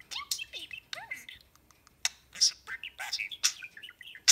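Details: A three-year-old male pet budgie (parakeet), intrigued, chatters in quick scratchy bursts of high chirps, warbles and sharp falling whistles on first meeting another budgie up close, with faint clicking and a little nipping.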